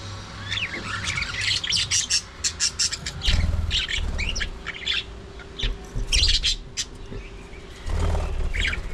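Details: Early morning feeding time for budgerigars: a run of sharp chirps and squawky notes in clustered bursts, some louder peaks, over a constant low mechanical hum.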